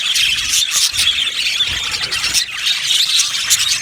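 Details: Yellow budgies kept in an aviary colony, producing dense squeaky chirps and harsh little squawks layered over one another.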